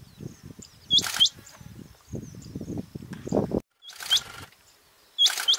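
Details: Rain quail female call from Bhigwan outskirts near Kumbhargaon, India, July 2024: short, high, clipped double notes in three bursts, partly masked by loud rustling and handling noise and a low background rumble.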